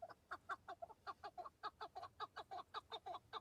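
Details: Male Chukar partridges calling on Mount Bamo in the breeding season, when males display and fight over females: a fast run of harsh, clucking chuk notes, about four to five per second, steady and rhythmic with little else heard.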